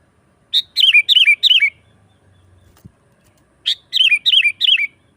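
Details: Sooty-headed bulbul song, used as a lure for wild birds: two phrases, each a sharp opening note followed by four or five fluty, down-curving chirps, with a soft low buzz and a thump between them.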